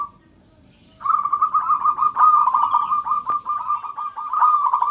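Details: Local zebra dove calling to set other birds calling too; after a second of quiet, a long unbroken run of fast, rolling coo notes at a steady mid pitch continues to the end, with faint chirps above.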